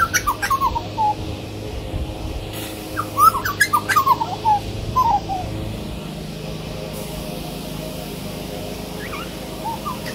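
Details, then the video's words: Grey butcherbird singing for several minutes: clear, mellow whistled phrases that slide downward, delivered in quick bursts of notes with pauses between. Sharp clicks and a low steady hum run underneath. "Grey Butcherbird having a sing song"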